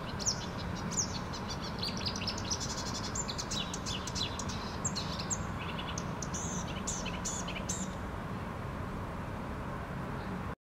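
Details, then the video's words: A small songbird, a mystery bird mostly hidden from view in Helsinki, Finland, gives high, thin chirps and short twittering phrases, scattered irregularly, over a steady, heavy rushing background noise. "Lintu laulaa lähes piilossa"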